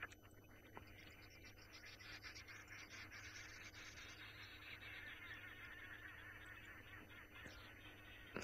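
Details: On an early-morning African safari drive (June 18, 2018; cool, slight breeze), a group of arrow-marked babblers in the background makes a harsh, nasal, overlapping racket without pause, near a giraffe feeding on buffalo thorn, over a steady low hum.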